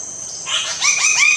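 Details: Male lesser bird-of-paradise at its lek during midday dance "practice" before the courtship display, giving a quick run of three or four loud, harsh, rising notes about a fifth of a second apart, over a steady high hiss.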